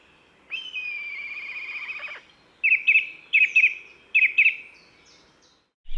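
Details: A black kite calls in spring in the forest of Île de Raymond, not far off, near dawn. It gives a long, high, slightly falling whistle, then three quick bursts of quavering, whinnying double notes, while a song thrush sings behind.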